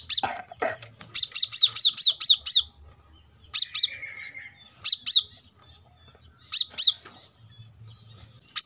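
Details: Brown-throated sunbird singing gacor for a masteran track to train cage birds, recorded beside a road: a rapid run of about ten high piercing chirps, then spaced single and paired chirps, faint low traffic noise.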